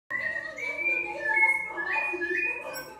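A rufous-bellied thrush sings rich, fluty whistled phrases that slide up and down in overlapping notes, delivered steadily with little pause.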